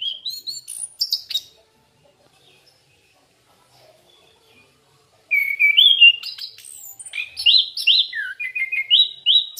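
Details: Orange-headed thrush song used as a lure: clear, varied whistled phrases and slurred high notes, a short burst at the start, then over three seconds of silence before a fuller run of rising and falling whistles.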